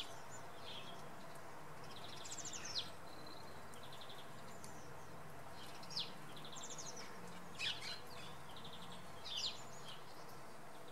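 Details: Common redpoll calling early in the morning at Oksywie: quiet bursts of fast, dry chattering notes, high-pitched and clipped, given in short series every few seconds over a steady low background hum.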